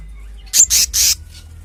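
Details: Selendang biru, known also as kehicap ngombyok, delivering three loud, hissing, rasping bursts back to back, each roughly a fifth of a second, in an otherwise quiet background.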